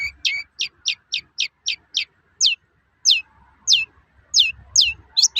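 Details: Toet-toet sound of a long-tailed shrike in lively song, aimed at provoking other shrikes to sing: a fast row of sharp high notes slowing into loud, spaced, downward-slurred whistles.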